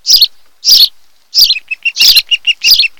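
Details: Osprey at a nest on Kent Island, Maryland, filmed by a nest camera on 26 July 2018 in the afternoon, home to a mated pair; loud, sharp whistled chirps in bursts, then a quick series of shorter piping notes, with wing flutters.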